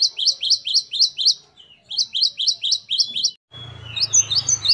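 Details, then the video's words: Singing great tit, called gelatik batu in Indonesian: two quick bursts of piercing, high, descending repeated notes. Then a sudden switch to a noisier background with a low hum, and fainter high notes continuing. "Gelatik Batu Gacor Variasi Mewah. Great tit. Singing birds."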